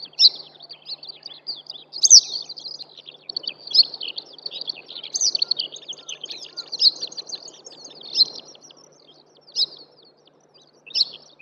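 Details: Wild eastern yellow wagtail singing on the Shimo-Sarobetsu moorland trail, Hokkaido, Japan: bright, emphatic chirped notes roughly every one and a half seconds over a steady background of busy, high twittering.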